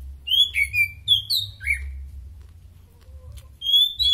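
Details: Oriental magpie-robin in peak condition, a few whistled, down-slurred notes and sharp chips, then a quiet gap before a final clear whistle, over a low background hum.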